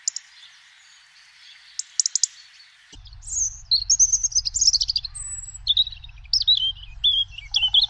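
European robin singing: high, thin, liquid warbling phrases that leap and tumble in pitch, after a few faint high notes, over a low background rumble.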